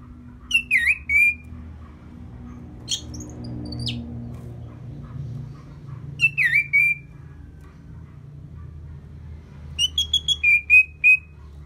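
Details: Orange-headed thrush singing, played to stir birds into aggression after their moult: loud whistled phrases with swooping and sustained notes, a higher chattering burst between, and a final run of rapid repeated notes ending in level whistles; low hum beneath.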